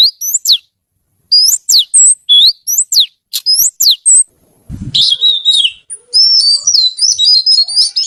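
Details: Oriental magpie-robin singing in lively 'gacor' style: bright sweeping whistled notes in quick phrases, a brief low thump midway, then a denser run of twittering, chattering trills.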